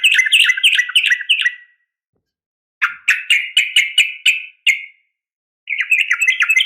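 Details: A female Sooty-headed bulbul's sharp fighting call to a male, meant to draw responses from other bulbuls: three rapid bursts of rattling, chattered notes with short silences between, each ending in a brief drawn-out tail, clean background.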